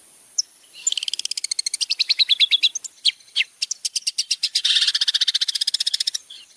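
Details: Long-tailed shrike, a champion bird, singing for use in training: a lone chip, then a long, quick series of high, clipped notes that shift pitch, broken briefly before a dense, rapid burst and a few closing chips.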